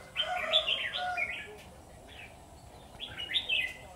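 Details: Red-whiskered bulbul kept as a decoy in a trapping cage: two clear bursts of rich, warbling whistled phrases, the first longer, separated by a quiet pause.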